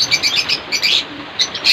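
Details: Caged African lovebirds during Cyclone Remal: bursts of sharp high chirps in quick clusters, with brief wing-flapping sounds among them.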